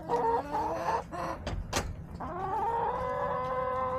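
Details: Backyard hens on March 24, 2024, caught on a yard camera: a few nasal clucks and two sharp knocks, then a sustained, slightly rising harmonic crow lasting nearly two seconds.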